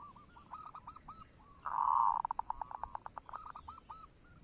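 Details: Zebra dove (perkutut lokal) lure call: repeated curled coos, a loud buzzing burst, then a quick rhythmic string of clipped pulses easing back into hooked coos.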